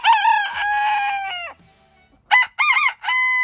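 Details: Rooster of a heritage breed giving a long, level crow of about one and a half seconds, then after a pause a shorter, choppy crow with wavering notes.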